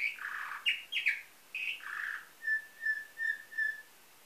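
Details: Canary of nightingale-type song, Varna, Bulgaria, 2013: buzzy rolls and sharp high notes, then a row of four clear flat whistles evenly spaced about half a second apart.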